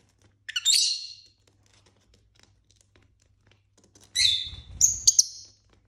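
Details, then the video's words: Pet lovebirds indoors playing and fighting: a harsh, buzzy screech, then after a pause a second rasping screech followed by short sharp chirps. "Lovebirds play day"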